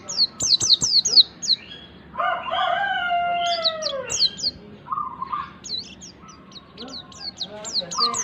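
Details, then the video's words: White-eye (pleci) lure chatter to coax untrained birds into singing: quick high descending chirps at start and end, interrupted midway by a loud rooster crow and a low held whistle. "pancingan pleci agar cepat ngalas PLECI BAHAN CEPAT BUKA PARUH"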